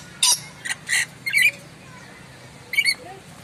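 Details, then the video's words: Moluccan lory giving loud, sharp calls: five short, harsh, grating screeches in quick bursts over three seconds, separated by brief silences, with faint low background hum. "BURUNG NURI MALUKU,SUARA KERAS DAN TAJAM"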